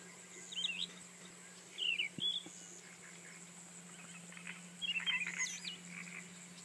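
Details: Rufous-tailed scrub robin singing three separate bursts of quick, high, twisting chirped notes with short pauses between them, against a faint constant hum.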